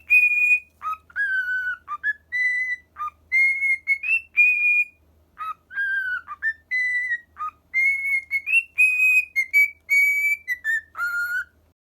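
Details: Male cockatiel whistling a learned tune, "Hato to Shōnen" from Castle in the Sky, in clear, pure notes stepping between high and lower pitches.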